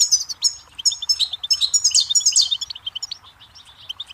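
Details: Goldfinch singing a rapid, continuous twittering song of tinkling, buzzy and liquid high notes, tumbling quickly one after another, over a faint low rumble of background noise.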